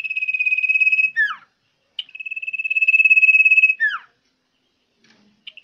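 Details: Common iora singing loudly and persistently: long, even, rapidly pulsing whistled trills, each ending in a quick falling slurred note, two phrases separated by a pause, a short sharp note at the end; otherwise quiet.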